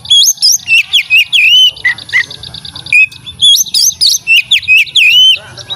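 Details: Melodious white-rumped shama song: loud, rich whistled phrases with upward and downward slurs, repeated in bursts about every half second, broken by a short run of chips.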